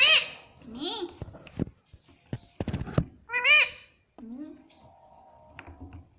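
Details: Pet Indian ringneck parrot indoors saying "mummy papa": bright, harmonic, arching syllables in short bursts, mixed with sharp clicks and knocks, then a lower drawn-out tone near the end.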